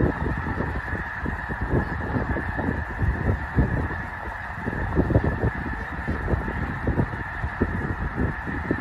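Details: Massed snow geese, only a few thousand of them, calling at Loess Bluff National Wildlife Refuge in northwest Missouri during fall; an unbroken chorus of harsh honks with individual louder yelps rising above it.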